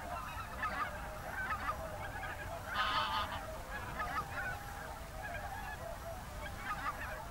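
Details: In the late afternoon and early evening of 7 February 2023, whooper swans in a national park, alongside geese, trumpet continuously: loud bugling honks overlapping from many birds, with a brief louder burst near the middle.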